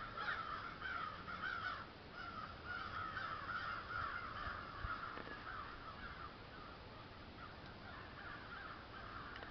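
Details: Crows calling at St Stephens: a dense run of rough, overlapping caws for about five seconds that thin out and fade, with constant low background rumble throughout.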